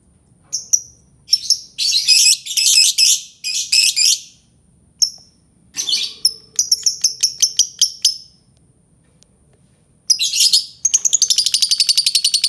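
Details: Albino lovebird chattering at length: loud bursts of harsh, rapid twittering broken by short pauses and lone sharp chirps, ending in a fast rattling trill.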